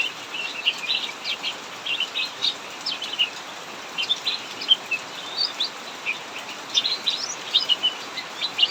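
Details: In a backyard-style aviary under heavy rain, a cucak mini keeps up ngacor singing, a dense run of sharp high chirps and quick twitters standing out against the steady hiss of downpour.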